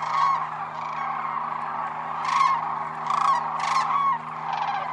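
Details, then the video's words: Wintering sandhill cranes on an iced-over pond at Whitewater Draw, Arizona, after a very cold night; a crowded chorus of bugling calls with several loud, clear rattling calls rising above it in bursts. "Wintering Sandhill Cranes at Whitewater Draw Wildlife Area, AZ"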